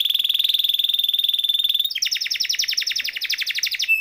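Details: Singing canary used as a training and stimulating song for other canaries: a long, steady, fast-rolling high trill on one pitch, switching abruptly to quicker, warbling doubled notes, ending on a short pure whistle.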